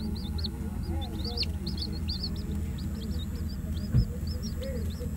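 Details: Peeping of one-to-two-day-old White Leghorn chicks in northern Florida: many short, high, arched cheeps overlap almost continuously above a deep steady hum, with faint lower murmuring and a brief knock near the end.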